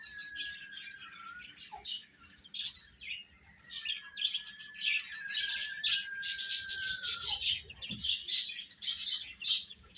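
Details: Young chickens chirping continuously: many bright, rapid peeps overlap. A thin sustained tone runs beneath them for most of the recording.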